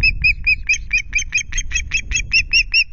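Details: Osprey at the Loch Garten nest with chicks on 5 July, nest camera: a rapid series of short, sharp whistled chirps, about two per second, each note clear and slightly rising, with low rumbling background noise.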